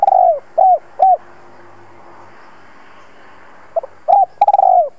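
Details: A decoy spotted dove calls to lure other doves in, giving low, hollow coos: three spaced notes, a pause, then a quicker run of four or five coos.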